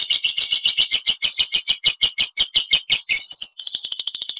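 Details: Lovebird ngekek from a caged bird, played as a lure to other lovebirds: an unbroken, shrill chattering trill of regular pulses that quickens and softens into tighter, faster notes near the end.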